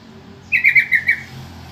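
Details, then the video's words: Lure call of a yellow-vented bulbul intended to provoke answers from other bulbuls: four warbling, rolling notes strung together over roughly seven tenths of a second, loud and clean. "suara panggilan trucukan,trucukan lain pasti nyaut dengar suara panggilan ini"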